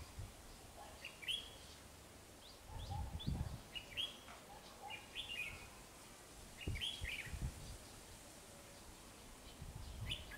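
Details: Red-whiskered bulbul, white-cheeked form, lured toward a fighting trap by a decoy bird: short warbled, slurred phrases given every second or two between gaps, with low thumps and handling noise.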